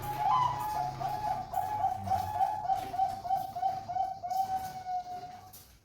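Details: Bangkok-strain zebra dove of competition quality, caged, East Java: one long, steady trilled cooing phrase of rapid even pulses at a single mid pitch, slowly fading at the end, with faint low background hum.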